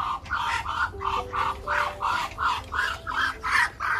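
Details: Rhythmic duck quacking, clear and evenly spaced, each nasal note clipped and bright, close to three per second across the whole stretch.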